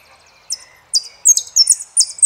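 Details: High, sharp song phrases from an Argentine saffron finch, several quick downslurred bursts coming closer together and louder, with faint thin notes in the background.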